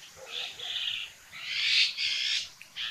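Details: In Sattal, Uttarakhand, India, a red-billed blue magpie gives loud, grating, hoarse calls: two or three broad rasping notes, the longest swelling in the middle of the clip, then a short scratchy note.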